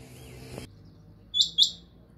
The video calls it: How to check the beautiful and sweet Quail sound|batray ksy khobsort awaz suny